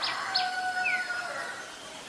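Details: Black-collared starling from Ubon Ratchathani, Thailand, 17 November 2021: loud, clear whistled notes, some sliding downward, layered with a sharp squeak at the start and a long fading whistle.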